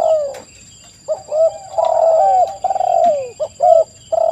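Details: Spotted doves on a lure track intended to trigger responses. A falling opening coo is followed by a pause, then layered mellow coos and short arched notes from more than one bird, with a persistent thin high tone.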